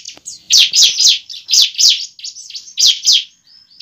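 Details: Bar-winged prinia fighting song as a lure for a young bird: a fast series of loud, sharp, buzzy chirps, about four per second, high-pitched and slightly uneven in spacing.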